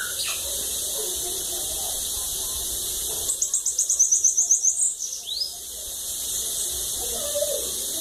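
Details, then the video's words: Bananaquit of the cachorro louco song style, lagoa d'água: after a quiet start, a single very high, rapid buzzing trill of about ten pulses runs over a second and a half and ends in a rising upslur. "Sibite cachorro loco"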